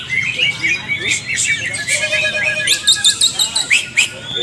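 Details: A caged greater green leafbird, training alongside other birds, sings a rapid, varied stream of bright whistles and chips, then a burst of harsh, rhythmic chattering; other caged birds may join in.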